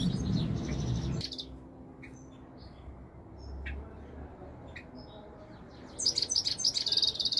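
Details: European goldfinch singing: a burst of rapid, high twittering at the start, then near quiet with scattered faint chirps, and another bright run of quick, tinkling notes near the end over low background hum.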